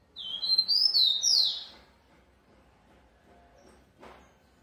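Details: Rufous-collared sparrow from a breeding aviary sings one quick whistled phrase of piercing, downward-sliding notes lasting under two seconds, followed by quiet and a single sharp click.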